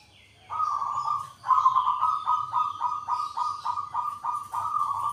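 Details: Local Indonesian zebra dove cooing a long run of quick, evenly spaced pulsed notes on a steady low pitch, nearly four per second, following an opening soft coo.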